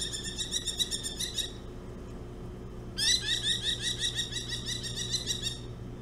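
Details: Merlin from a pair nesting on Hog Island, diving at a person near the nest in July 2017; two bursts of fast, shrill, laughing chatter separated by a short pause, each a rapid run of sharp repeated notes.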